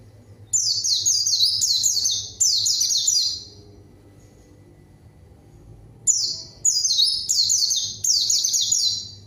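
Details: Two long bursts of fast, high, descending chirped notes from a white-eye answering a rival, separated by a pause of nearly three seconds.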